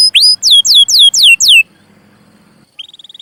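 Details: Canary singing for a tutoring recording for young birds: a rising whistle, then five loud falling swept notes in quick succession, a pause with faint low background hum, then a soft rapid trill at the end.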